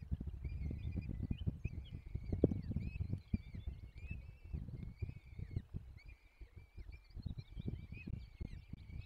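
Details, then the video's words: Feeding of peregrine falcon chicks at a forest nest in Poland's Barycz Valley, 17 April 2024. Clusters of short, high, squeaky whines come in bursts with brief pauses, under constant low rumble and scattered thuds. "Dolina Baryczy - Karmienie piskląt - 2024 04 17 sokoły wędrowne"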